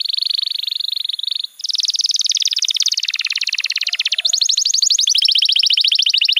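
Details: Canary master song for training juvenile birds to sing: continuous high trills with rapid pulsed notes, changing speed and pitch several times, with a brief pause early on, then a fast bright rolling phrase to the end.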